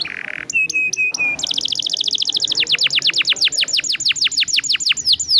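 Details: Atlantic canary, a singing bird used as a lure to prompt other canaries into long rolling song: a buzzy opening note, three clear flat whistles, then a long fast roll of rapid descending sweeps repeated about twice a second.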